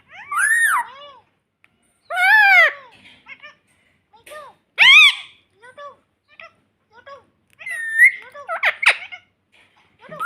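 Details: Pet ringneck parrot talking in a room: several separate high, arching nasal syllables, spaced by silences, mixed with scattered human speech and faint laughter later on.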